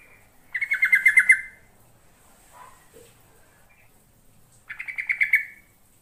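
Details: Lure recording of a yellow-vented bulbul, meant to make birds respond: two loud rippling phrases of fast, slightly descending chattering notes about four seconds apart, with a few soft low chirps in between.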